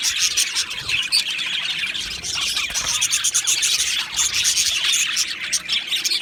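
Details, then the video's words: Nonstop rapid chirping from two male Budgerigars, a scratchy, high chatter full of clicks and short squeaks. "2 Male Budgies Birds Sounds | Australian Budgies Birds chirping sounds"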